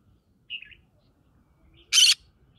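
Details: Green-cheeked conure living in the middle of a rice field: a soft, short chirp, then a single loud, harsh, raspy squawk about a fifth of a second long, over quiet background.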